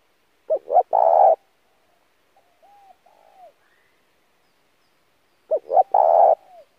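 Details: Spotted dove giving intense lure cooing used to train a fresh-caught dove: a pair of clipped notes leading into a full, sustained coo, repeated twice roughly five seconds apart, with quiet curved murmurs in the gap; clean, quiet background.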